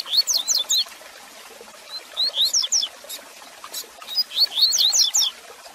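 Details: Teacher song of a Double-collared seedeater, used to warm up and teach a caged male: two bursts of rapid, high whistled notes sliding down and up, separated by a quieter gap with scattered single chirps over a light hiss.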